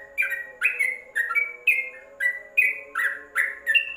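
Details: Yellow-vented bulbul in a covered cage, recorded as a tutor track for training birds: bright chirpy notes, each sliding down or up, repeated about twice a second over a steady low hum.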